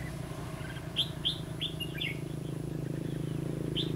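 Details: Red-whiskered bulbul song recorded during trapping on 11 November 2016: a short run of bright, slurred whistled notes, rising and falling, over a steady low engine hum.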